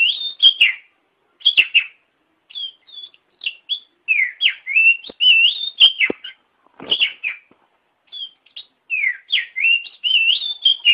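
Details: Long, varied song of an Oriental magpie-robin for training caged birds: quick warbling whistles, clicks and slurred notes in bursts with short pauses, lively and inventive throughout.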